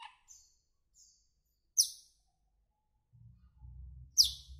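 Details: Asian glossy starling, a greenish black bird, with brief thin whistles then two loud, sharp, high squeaky notes a couple of seconds apart, low rumble faintly between.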